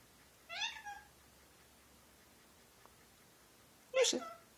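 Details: Indoors, a male Indian ringneck parakeet kept as a pet utters mimicked words like thank you and give me a kiss. Two separate utterances come several seconds apart: a rasping syllable, then a sharper, harsher burst after a pause.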